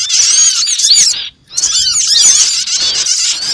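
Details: Shrill chattering of many small birds in a trapping lure, dense squeaky chirps interrupted by a short silence around one and a half seconds.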